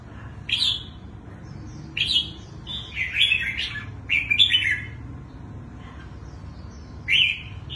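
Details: Twisting-voiced song of a wild-caught adult red-whiskered bulbul with a big, long build. Rich slurred whistles form a busy run of linked notes, followed later by a single bright phrase, with a faint low hum behind.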